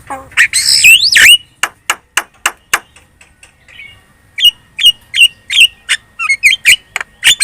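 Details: Javan myna (jalak kebo) lure song for drawing replies from other birds: a harsh squawk with a rising whistle, then evenly spaced dry clicks, a pause, and a run of short whistled chips repeated about twice a second.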